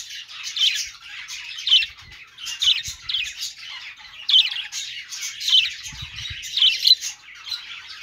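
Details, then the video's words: Budgerigar chirping: distinct bursts of harsh, high chatter roughly every second, each a scratchy warbled phrase, separated by brief quiet gaps, with a few soft low taps. "parakeet chirping sounds |Australian parrot singing | budgie sounds"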